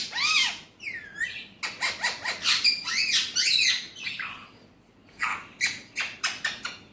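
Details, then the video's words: Pet Alexandrine parakeet, a talking bird with Urdu/Hindi words, gives loud arched squawk-like notes followed by choppy, harsh syllables in uneven bursts, with short pauses between. "Alexandrine Parrot Natural Voice || Mitthu best Talking || Amazing Speaking parrot || Urdu/Hindi"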